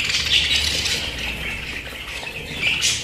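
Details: Pet budgerigars give squawky warbles with a few clear whistled notes at the start and end, softening briefly in the middle.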